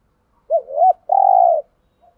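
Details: Close, clear cooing of a decoy spotted dove: a rising-and-falling double hoot, then a sustained, even, low coo lasting about half a second.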